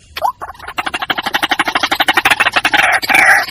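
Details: Lure recording of a white-breasted waterhen calling to its companions: a rapid, rhythmic run of short throaty pulses, about two per second, building into a dense, noisy chattering chorus by the close.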